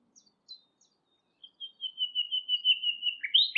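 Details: Nightingale singing in scrub at Thurrock Thameside Nature Park: a few soft clicks, then a long steady whistled note building into a pulsing, strengthening trill that ends in sharp upward flourishes.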